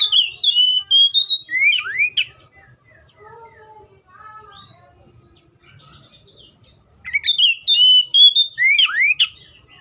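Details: Two loud whistled phrases from an Oriental magpie-robin frame a stretch of softer, lower warbled notes; each phrase runs through level clear whistles into rising slurs and sharp chips.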